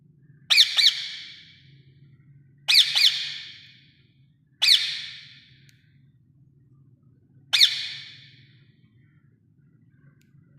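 Rose-ringed parakeet giving harsh, raspy squawks, some doubled, in five bursts spaced about two to three seconds apart, over a low steady hum.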